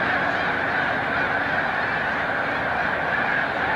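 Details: Migrating snow geese at Montezuma, New York, on March 7, 2022, as migration nears its peak; a dense, steady wash of overlapping honks fills the air without a break.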